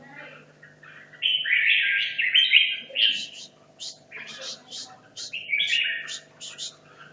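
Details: Red-whiskered bulbul from Hanoi, caged for 2.5 years and practising for a singing competition: a loud warbled phrase is followed by a series of sharp, high clipped notes and another bright warble, with a steady hum behind.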